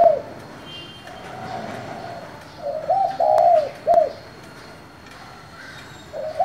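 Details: Spotted dove of the 'giọng thổ' voice, calling to stir other doves: a faint drawn-out note, then a stuttered phrase ending in a short, abrupt, downcurved coo, and another phrase starting at the end.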